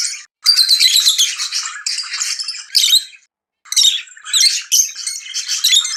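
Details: Excited lovebird chatter tied to mating: harsh, scratchy high chirps and squawky notes in uneven bursts, with a silent gap of about half a second midway.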